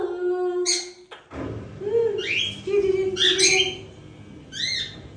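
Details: Pet Indian ringneck parakeets, moulting, talking indoors: a short steady voiced tone, then a run of rising and falling harmonic squawk-like syllables with pauses between them. The room has a slight echo.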